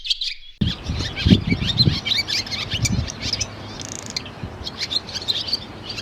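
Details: Barn Swallow giving a rapid, varied twitter of high chirps and clicks after a short silent start. Low thuds and handling noises sound in the first few seconds, and a brief buzzy note comes near the end.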